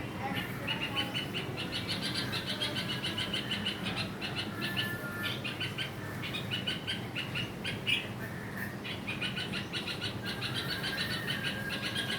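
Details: Red-vented bulbul shouting at a lizard to protect its young: dense, harsh chattering notes repeated rapidly and almost without pause for twelve seconds, with a steady background hum.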